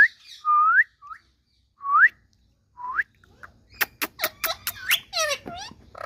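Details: Indian ringneck parakeet, a pet green parrot from India, talking: four clean rising whistles spaced about a second apart, then a fast string of clicks and raspy harmonic squawks.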